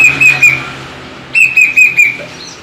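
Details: Caged plaintive cuckoo giving loud, clear whistled notes in quick series, three then four notes, each slightly falling in pitch, against a faint low hum.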